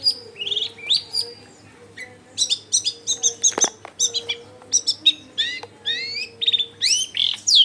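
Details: Lure song of a long-tailed shrike, meant to provoke rival shrikes into answering, recorded at a house in a dense neighbourhood: varied sweeping whistles, buzzy chips and downslurred notes in quick bursts, over a faint droning hum.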